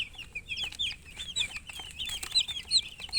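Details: Chicks cheeping in a busy group, their short, shrill, sliding peeps packed closely, several birds calling at once, with a faint background hum.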